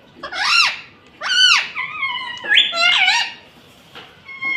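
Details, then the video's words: Green pet parakeet that speaks Mummy, Papa and Mitthu utters a series of arching, nasal harmonic syllables, then flatter sustained tones, in speech-like phrasing with short pauses. "Mummy Papa Bolunga || Talking Parrot || Mitthu Mitthu"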